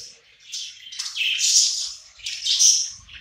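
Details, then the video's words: Several hungry pet budgerigars gathered around food eating together, giving a dense stream of high scratchy chirps and warbles in two swelling bursts. "Cute hungry budgies gathering around eating together"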